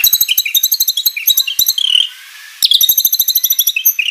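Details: Shama song rich in mimicked phrases: a rapid string of high repeated chips over lower whistled notes, a short pause, then the fast chipping resumes.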